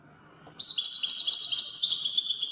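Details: European goldfinch singing in the Widani style, a dense stream of high, bright twittering notes with rapid tinkling trills and short buzzy slurs, loud and continuous after a brief silence.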